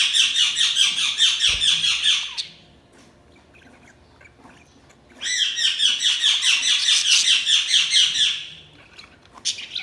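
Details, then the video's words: Budgerigars chirping in two dense bursts of rapid, scratchy warbled notes, each lasting about two seconds, separated by a quiet pause, with a short burst starting again at the end. "Budgies Sounds| Budgies Chirping sound"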